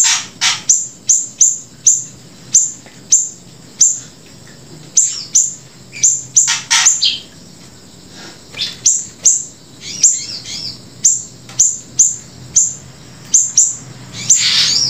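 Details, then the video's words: Grey-breasted prinia singing persistently, mixed with siri-siri song: a long series of high, sharp downslurred chirps, about two per second, with short pauses and denser bursts near the middle and end. "flamboyan gacor sambung siri siri"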